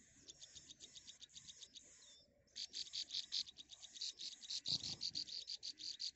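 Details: Three baby birds in a nest waiting for their mother to bring food, giving thin high-pitched peeps in fast, pulsing runs that grow louder after a quieter opening and continue steadily to the end.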